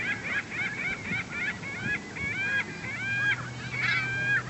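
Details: Over a hundred herring gulls gathered at a neighbourhood lake call over and over, with harsh, nasal, overlapping cries and yelps; a low steady hum rises in the second half.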